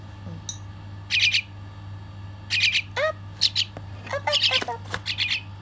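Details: Baby bird begging while being fed: bursts of shrill, high chirps in rapid clusters, interspersed with lower squeaky notes, over a steady low hum.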